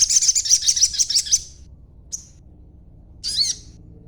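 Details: Young sogon still in green plumage, chattering rapidly, used as a lure recording to prompt other sogon birds to answer; a dense run of high, fast, scratchy chirps for about one and a half seconds, then a single tick and a short twittering burst.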